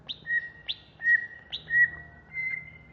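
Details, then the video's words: Caged greater green leafbird of Alas Purwo origin, kept in Jatiasih, Bekasi, singing agitatedly and ready for contests: a short high upward flick followed by a long steady whistle, repeated about every 0.6 seconds, five times in a row. "Cucak Hijau Alas Purwo Ngamuk"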